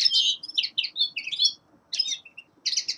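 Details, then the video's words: Common linnet, a young male, singing in winter: quick chattering twitters and short warbled notes, a dense phrase followed by a brief gap and further rapid chirps. "Песенка Реполова Коноплянки song of Carduelis cannabina"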